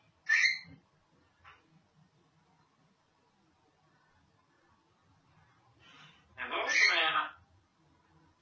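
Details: Female pet African grey parrot, kept indoors, making a short high whistled note, a faint chirp, then a longer harsh, buzzy, voice-like utterance near the end, with long quiet gaps between sounds.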